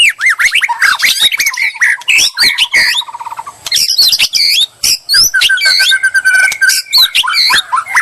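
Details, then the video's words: White-rumped shama, used as bait to provoke a reply: dense, rapid song of varied whistles, sweeping slurs and harsh buzzy notes, with a long series of quick repeated notes around the middle and high trills throughout. "murai lansung moncer nglabrak penuh nyali"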